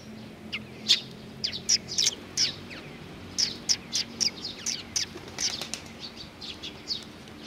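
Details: A group of Eurasian tree sparrows coming for food at Mizukami Bridge, 4 June 2020: sharp, high chirps repeated in quick irregular series, mixed with soft wing flutters and a faint low hum behind.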